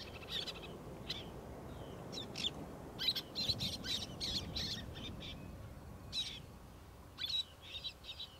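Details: Roseate terns give harsh, rasping calls in short bursts, some close together and others a second or two apart, over a steady low rumble of wind or surf, recorded 27 August 2022.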